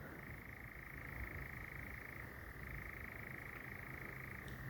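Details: Distant European nightjars churring at night in Sherwood Forest, England, with females present nearby: a faint, unbroken, even churr held steadily throughout, over low rumbling background noise.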